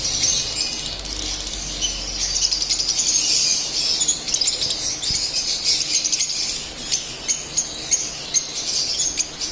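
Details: Split albino lovebirds singing and chirping nonstop in a dense stream of shrill, high squeaky chirps and twitters, with several birds seemingly calling over one another.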